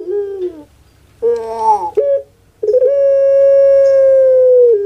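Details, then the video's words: Domestic puter pelung dove performing anggungan: a falling opening note, a gravelly rolling phrase, a short accent, and a long level drawn-out tone that dips at the very end. "KONSER ANGGUNGAN PUTER PELUNG"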